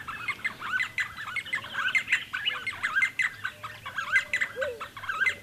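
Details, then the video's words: D'Arnaud's barbets (Trachyphonus darnaudii) near Lake Baringo call in a busy, overlapping run of bright, bouncing, mid-pitched notes repeated rapidly, with a brief lower note from another bird. "D'Arnaud's Barbets Calling"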